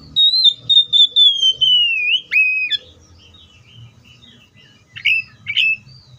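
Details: Oriental magpie-robin singing a long, pure whistle that glides steadily downward, then a quick abrupt note, a pause, and two short bright chirping phrases. Faint low hum underneath.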